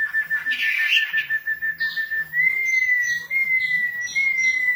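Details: Female wambi singing actively, holding a long, level, pure whistle that steps slightly higher midway, with soft chirps and faint low background murmurs around it.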